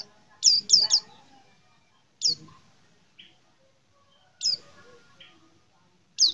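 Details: Small yellow-green white-eye giving scattered sharp, high down-slurred chirps, a quick triple followed by single notes every two seconds, over faint low background noise.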